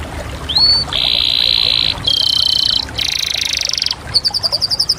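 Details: Canary song made of a rising whistle, then a string of sustained buzzy rolls at shifting pitches, ending in a quick tour of bright repeated chirps.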